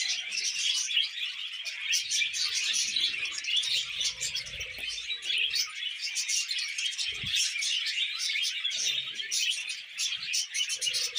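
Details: Pet budgerigars, a group of them, warble happily while feeding on vegetables: nonstop overlapping chirps, squeaks and rapid trills fill the whole stretch, with soft low thumps and rustles of eating scattered underneath.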